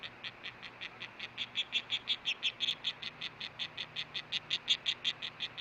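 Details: Osprey female at the Hellgate nest, 10 August 2013, late morning, buzzing after a fish delivery, picked up by a nest camera. She gives an even, continuous train of rasping pulses, roughly five per second, over background hiss.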